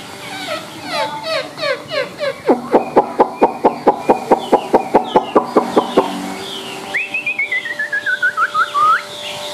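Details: Chinese hwamei, a white-winged, white-tailed bird singing high: a run of quick falling notes, then a fast series of sharp clipped notes repeated steadily, then a rapid string of descending slurred whistles, over faint background noise.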